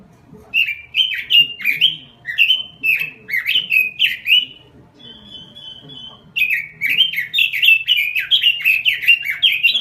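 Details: Chatty 'gacor' robin song: repeated quick whistled phrases that swoop up and down, then a lull holding a thin sustained tone, then renewed rapid warbling to the end.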